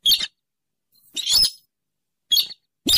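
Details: Trapping lure of a rail, locally sintaran sawah, weris or mandar dengkur, a swamp bird of the Rallidae: four harsh, raspy bursts, the second longer and screechier, with silent gaps between.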